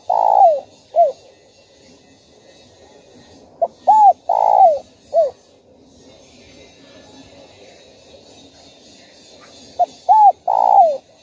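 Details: Spotted dove calling in the thúc, gù and gáy gọi styles, for stimulating captive doves. Scattered short falling coos and hooked notes in two bursts, separated by a stretch of steady background hiss and hum.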